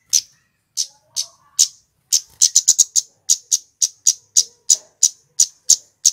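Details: Male scarlet-headed flowerpecker, used as a lure to trap wild flowerpeckers: sharp, very high 'cit' ticks, sometimes in quick bursts, repeated at uneven intervals about twice a second.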